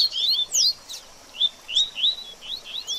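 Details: Baderninha-style song from a double-collared seedeater, meant for a bird just out of moult: a quick burst of high slurred chirps, a short gap, then spaced rising whistles repeated about every half second.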